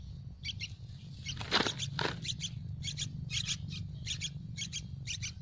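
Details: Hungry Yellow-vented Bulbul nestlings begging for food in a nest on a tree: short high chirps in quick bursts through the clip, a few louder broadband notes near the middle, over steady low hum.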